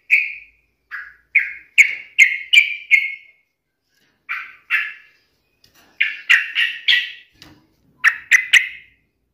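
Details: Singing yellow-vented bulbul taunting a rival: clear, slightly buzzy chirps delivered in quick runs of three to five, separated by short pauses, with a faint low knock midway.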